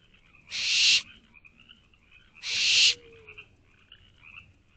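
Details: Owlets of the barn owl, inside an owl box late at night on 24 May 2023, begging for parents to return with food: two loud rasping hisses about two seconds apart, with soft shuffling sounds in between.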